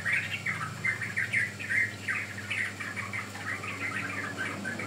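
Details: Lure and training recording of a sooty-headed bulbul: quick, bright chirped notes in short bursts, about two to three a second, irregular in rhythm, with a constant low hum underneath.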